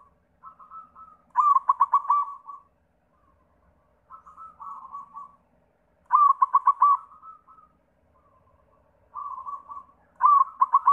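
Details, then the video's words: Repeated lure song of a white zebra dove to prompt other zebra doves to sing: soft introductory coos, then a loud pulsed trill of five or six rapid beats and a trailing note. Three cycles, each about four seconds apart. "Sura Perkutut pitih PAMCINGAN SEMUA JENIS PERKUTUT"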